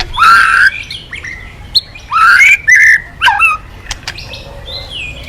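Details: Singing white-rumped shama used to coax other birds into song: full, rich warbled phrases with bright upward slurs, three strong bursts spaced about a second apart, followed by softer distant whistles.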